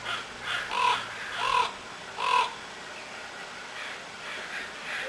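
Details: Black crows in pine trees outside a house on Afognak Island, Kodiak, Alaska: three harsh, hoarse caws in quick succession, about a second apart, then fainter calls trailing off in the distance.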